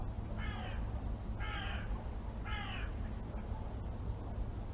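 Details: Wild garden bird at feeders giving three hoarse, raspy, crow-like calls spaced about a second apart, each short and harsh, over a steady low background rumble.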